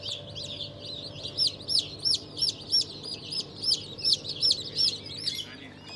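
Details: Freshly hatched chicks of several breeds, among them Legbar, Rahibe and İspenç, peep loudly in a fast series of sharp, high, rising-falling notes about three per second, with a faint hum underneath.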